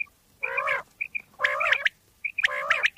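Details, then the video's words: Common quail calls from Pakistan, used as a hunting lure: nasal, harmonic-rich notes lasting under half a second, repeated about once a second, each framed by short, high, clear pips. "Bater wali Awaz mp3 / sounds of Quail mp3 / Pakistani Bater wali Awaz mp3"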